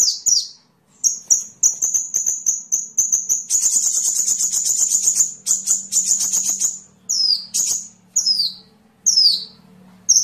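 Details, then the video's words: Sunbird sound for tutoring songbirds: a high, thin, rapid trill held for several seconds, breaking into stuttering pulses, then a few clear high notes that twist downward. "Masteran burung Kolibri"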